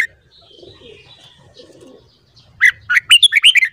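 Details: Red-whiskered bulbul morning song for voice training. After a quiet stretch with faint low murmuring, a fast run of bright, rolling, whistled notes bursts out near the end.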